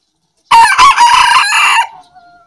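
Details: Aseel and black bantam roosters face off in a crowing match; a single strong crow lasting over a second, rich in harmonics, with a few choppy opening syllables, then a long steady note that fades into faint background sounds.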